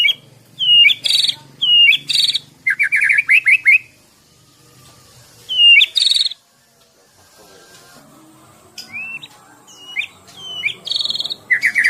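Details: An 11-month-old Medan white-rumped shama, caged, delivering a loud varied song of clear whistled upslurs, sharp high notes and a quick run of rapid chips, with quieter pauses between bursts.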